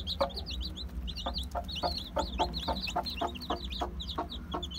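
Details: Day-old Aseel, Heera, Java and Muska chicks cheep in clusters of bright, falling piping notes. Knocking taps punctuate the calls, with a low electrical hum behind.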